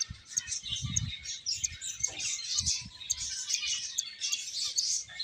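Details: A group of finches chatters with rapid high tweets and short trills, over occasional soft thuds and fluttering sounds.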